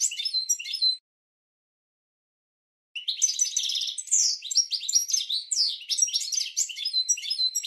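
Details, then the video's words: Training song of a European goldfinch for cage birds: a short twittering phrase, a two-second pause, then a long, lively stream of chattering notes, buzzy trills and upward and downward whistled slides. "Goldfinch 12h Training Song"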